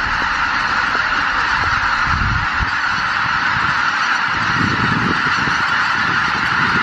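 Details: More than 83,000 Greater white-fronted geese flying out from the Miyajimanuma roost at first light, 23 April 2017, poor weather; steady, overlapping honks form a continuous roar over low rumbling, filmed with a Canon PowerShot SX710HS.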